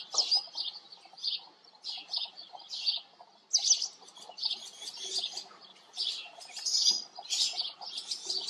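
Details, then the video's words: Several house sparrows living at a farm chirp busily in a steady stream of short, bright, overlapping cheeps, with a faint low background murmur. "House sparrows live at farm. Haussperlinge leben auf Bauernhof"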